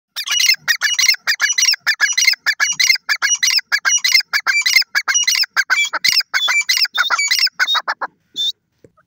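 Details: Grey francolin, known locally as teetar, giving loud, harsh, squawky calls in a rapid dense series of short grating notes, about one and a half per second, continuing steadily for eight seconds before stopping.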